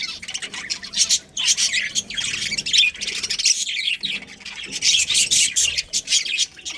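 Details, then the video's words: Continuous high chattering of a budgerigar breeding colony, many birds chirping and squawking together in a busy, buzzy wall of sound with only brief pauses. "Cute Budgies Chirping Sounds| Love Birds | Budgies Breeding Pair| Budgies Colony"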